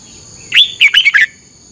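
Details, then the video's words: A single red-whiskered bulbul training-song phrase from Thailand, played to cage birds each morning for 30 minutes. One rising slurred whistle is followed by four quick, rich, chortled notes, all within under a second, over a thin high tone. "นกกรงหัวจุก ฝึกหงอนเป็นเวลา 30 นาทีทุกเช้าเพื่อช่วยให้นกเรียนรู้ที่จะพูดได้อย่างรว"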